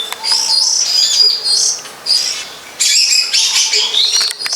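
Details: Wild long-tailed shrike pouring out dense, sustained high twittering and buzzy warbled notes in two long bursts separated by a short pause, with a faint low note beneath.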